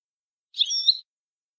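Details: Syrian goldfinch giving one short, high, slightly buzzy twittering call of about half a second. There are no other sounds.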